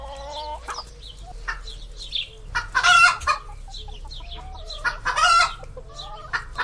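Chickens cluck and squawk in short, harsh bursts, with two louder drawn-out cackles a couple of seconds apart over a low hum.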